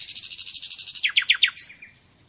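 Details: Common nightingale, natural song: a rapid churring series of repeated notes that slows into five loud separate chirps and a brief rising whistle.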